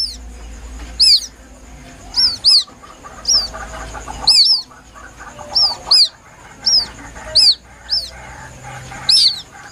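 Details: Young White-breasted waterhen calling plaintively, a recording meant as a lure. Shrill, downcurved peeps often come in doubles, irregularly spaced through ten seconds, over faint murmuring noise and a thin constant high hum.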